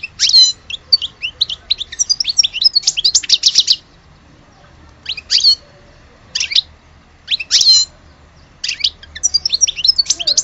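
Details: European goldfinch, an Algerian bird, singing in bursts of fast, twittering, liquid notes and tinkling trills broken by short pauses, with buzzy rasps mixed in.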